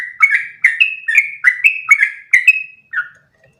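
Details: Continuous rolling song of a yellow-vented bulbul meant as a model for other bulbuls to copy: quick bubbly whistled notes in steady succession, ending with one drawn-out level note and a final lower slur before silence.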